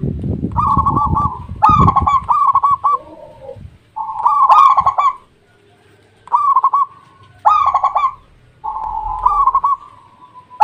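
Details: Local zebra dove song repeated several times: each phrase is a loud, rapidly pulsed, rolling coo, some ending in a smooth, level purr. Low rumbling noise is heard at the start.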